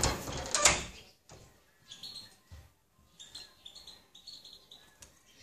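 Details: European goldfinch singing: after a loud, scraping knock at the start, bright, tinkling high notes come in short, uneven twittering bursts, separated by brief pauses.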